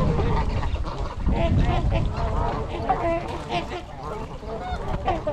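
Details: Trumpeter swans, a wintering flock of 42 (26 adults, 16 juveniles), at Gallup Park, Ann Arbor, Michigan, on 8 January 2022, recorded on a GoPro: overlapping nasal honks from many birds, with heavy low wind rumble.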